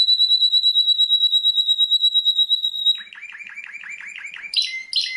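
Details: A world champion canary holds a high, pure, rapidly pulsing trill for three seconds, then switches to a lower series of repeated chip notes and ends with high metallic bursts.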